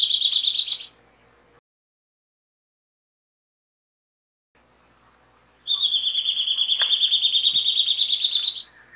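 Rufous gnateater song: a brief high, squeaky burst, a pause, then a fast, even trill of sharp notes lasting about three seconds. Little else is heard.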